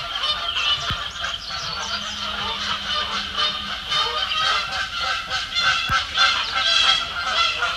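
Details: Several Canada geese, including one with a neck tag, squabble on Sapsucker Woods Pond in Ithaca, New York, on 12 May 2017: a continuous chorus of harsh, overlapping honks about twice a second, with two sharp knocks.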